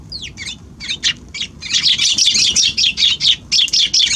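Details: Balcony-visiting Eurasian tree sparrows on January 6 start with a few separate falling chirps, then break into dense, rapid chattering of overlapping bright notes, as if several birds call together.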